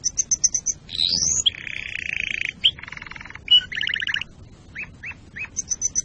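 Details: Canary song for preparing breeding and teaching fledglings: varied phrases of high clipped notes, a rising sweep, steady buzzy trills and rolling tours, separated by short gaps and isolated chirps.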